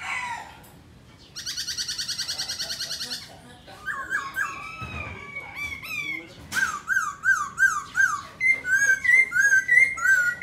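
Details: Black laughingthrush, dancing while singing, gives a harsh buzzy burst and wavering whistles, then bright rising-falling whistled phrases repeated rhythmically.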